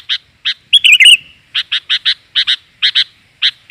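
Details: A female sooty-headed bulbul gives luring calls meant to attract males: one quick squeaky wavering phrase, then a string of short sharp chirps at uneven intervals.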